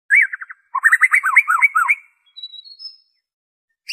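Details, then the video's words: White-rumped shama song, original without mimicked insertions, used to provoke other shamas into singing: a loud downslurred whistle, a quick rattle of notes, then a dense jumble of warbled phrases and a thin high whistle, no background noise. "PANCINGAN SUARA MURAI BATU ORIGINAL TANPA ISIAN"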